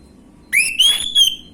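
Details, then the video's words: Orange-headed thrush gamblingan lure song aimed at untrained birds: a rising whistle, then a long, pure, level whistled note and a brief final slur. "PANCINGAN ANIS MERAH BAHAN/GAMBLINGAN | Gak Pake Lama Langsung Ngrespon Bunyi"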